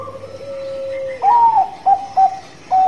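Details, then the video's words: Bangkok-type zebra dove singing actively, the song meant as a lure to set other birds singing: a low held coo, then a louder higher rising note followed by three short clipped coos and a final level tone. "Perkutut Banngko Gacor Suara Bekur Ampuh buat Pancingan"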